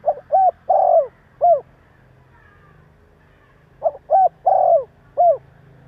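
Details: Spotted dove giving a call meant to provoke other doves: two phrases of four hollow, mid-pitched coos, two short notes, a longer drawn coo and a falling final coo, with a quiet pause of about two seconds between phrases.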